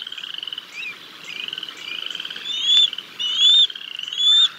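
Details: Bald eagles at the Decorah North nest, 6 May 2022, as the male feeds a fish to the chicks until the female arrives. A quick pulsing chitter builds into three loud, high whistled squeals, each about half a second long.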